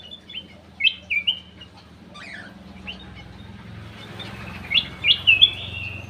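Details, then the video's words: Bulbul song from an aviary, used as a lure: short bright whistled chirps in small groups, separated by quieter gaps, over a steady low engine-like hum. "PANCINGAN CUCAK EMAS \ KUTILANG EMAS"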